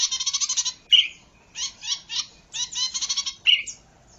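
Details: Zitting cisticola song used to lure and train birds: short bursts of dry, buzzy, rapidly repeated notes, separated by brief pauses and sharp single chips, repeated about every second.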